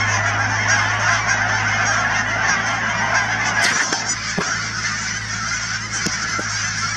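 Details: Canada geese in their thousands at the Cheam Wetlands near Chilliwack, British Columbia, honking in a dense chorus. Several knocks and clicks are heard around the four-second mark and again near six seconds.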